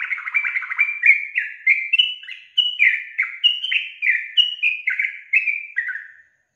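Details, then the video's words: Female yellow-vented bulbul calling, a sound said to draw males into answering: a lively run of about a dozen bright, slurred notes, each dropping in pitch, tumbling over six seconds without pause. "SUARA GACOR TRUCUKAN BETINA YANG BUAT JANTAN NGIKUT NYAUT GACOR"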